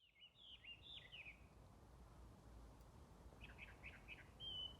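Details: Unseen small bird singing in early spring around the keichitsu season, 5 March 2022, outdoors in a gentle breeze: a twittering phrase of slurred high notes, a pause, then four quick chirps and a thin whistled note over low wind rumble.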